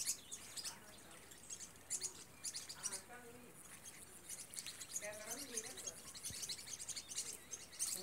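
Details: Green-rumped parrotlets chatter with rapid, high, sharp chirps throughout in the Vale do Rio Real, Brazil, with faint human voices murmuring in the background.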